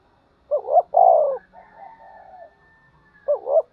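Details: Spotted dove fighting and calling coo. One phrase of two quick rising notes and a long falling coo, then faint, thin, drawn-out tones, then the opening notes of the next phrase.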